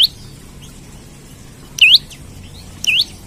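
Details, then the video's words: Loud olive-backed tailorbird, kept as a lure bird, gives three high, clipped, upward-hooked whistles spread over a few seconds, with faint background chirps. "Prenjak Lumut Gacor Nembak Cari Lawan Buat Pancingan/Pikat/Masteran Ampuh"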